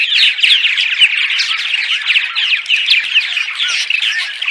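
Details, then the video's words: Group of purple martins chattering in daytime: a continuous throaty babble of croaks, chirps and short slurred whistles, loudest at the start, recorded to attract martins to housing during migration. "Attract Purple Martins (10 hours of Daytime Chatter)!"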